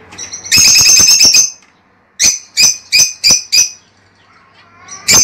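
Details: Lovebird calls meant to stimulate a female to lay eggs. A burst of rapid, shrill, high chirps comes first. After a short pause there are five sharp, evenly spaced chirps, and a final loud squawk ends the sequence.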